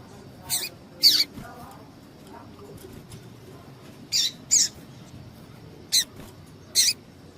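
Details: Female double-collared seedeater giving short, thin, high chips, some in quick pairs, spaced over several seconds; a call played to excite males kept for singing tournaments. Low steady hum underneath.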